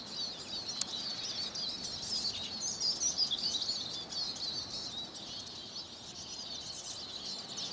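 Eurasian siskin singing a fast, continuous high twitter of chattering notes with thin wheezy slurs woven through, pouring on without pause.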